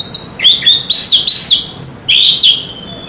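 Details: Chestnut-capped thrush (Geokichla interpres) sings loud, varied whistled phrases with arched, sliding notes and quick trills in rapid bursts over about three seconds.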